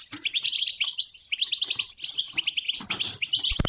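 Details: European goldfinch song played to stimulate a silent, non-singing goldfinch into singing; fast twittering phrases of chirps and buzzy notes in rapid bursts, with short pauses and a few sharp clicks near the end.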